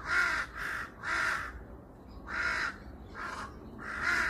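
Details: A crow on a hillside in Seongbuk-dong, Seoul, gives six harsh, hoarse caws over about four seconds, some in quick pairs, alongside other birdsong, with faint background hiss.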